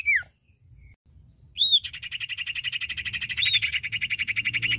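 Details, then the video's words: Male and female iora (cipoh or sirtu) singing actively: a quick downslurred whistle, a short pause, then a long, rapid, even trill of buzzy notes held at one pitch to the end, with a faint low rumble underneath. "Suara Burung cipoh/sirtu jantan dan betina gacor!"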